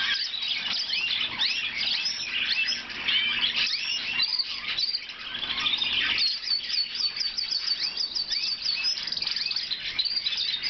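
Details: Blue Lizard canary in full song: rapid varied twittering and trills, ending in a fast repeated rolling trill, with a faint steady hum underneath.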